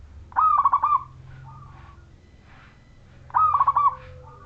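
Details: Zebra dove of the local wild Majapahit line, singing in full voice as a lure to set other zebra doves singing; two loud, clear, rapidly pulsed cooing phrases about three seconds apart, with softer short coos between.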